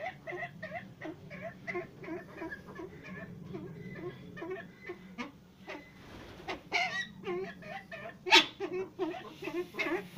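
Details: Brown eared pheasant (Crossoptilon mantchuricum) at a pheasant nursery, eating from a hand, giving a quick run of soft clucking notes, several per second, breaking later into louder, harsher bursts.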